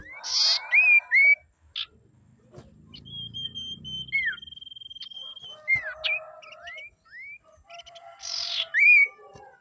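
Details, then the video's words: Female common iora, played to lure and provoke males. Short buzzy rasps and clear downward-curving whistles come in loose clusters at the start and end. A thin, level, trilled note and faint background murmur fill the middle. "SIRTU GACOR PANDAI BIKIN LAWAN EMOSI MEMANCING SIRTU AGAR BUNYI"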